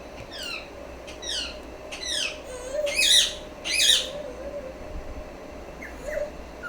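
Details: Pet female rose-ringed parakeet giving harsh, descending screeches in a loose series about once a second, the fourth and fifth louder and rougher, with a steady low hum behind.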